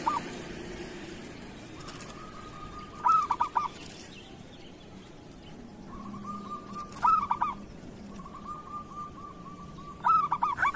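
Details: Zebra dove of the local kerot style, used to prompt idle or moulting doves into song. Three bursts of clipped coos, about every three to four seconds, each led in by a soft, steady trill, with faint background hiss.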